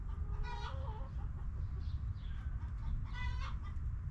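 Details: Backyard hens clucking in their coop: a drawn-out harmonic cackle with a lower wavering note early on, quiet murmurs, then another loud cackle near three and a half seconds, over a low hum.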